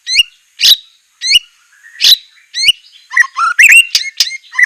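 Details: White-rumped shama (murai batu) song used to train captive birds: sharp buzzy bursts alternating with upward whistled flicks, then a rush of fast varied chirping phrases in the final second and a half.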